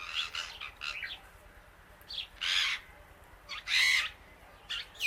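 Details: Outdoors eating grass with many birds around, a female Indian ringneck parakeet gives loud, coarse, broadband squawks, two especially strong ones standing out among quicker shorter calls.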